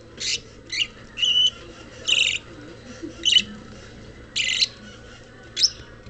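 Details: Rosy-faced lovebird at a pet shop in Kobe uttering harsh, buzzy high squawks in short bursts about every half second to second, with a constant low room hum beneath.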